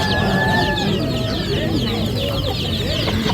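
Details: A group of ducklings fills the air with fast, overlapping high peeps and occasional longer whistled notes over a continuous low rumble.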